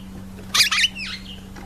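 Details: African green pigeon giving a harsh, squawky two-part burst, then a softer wheezy whistle sliding downward and fading; a steady low hum runs underneath.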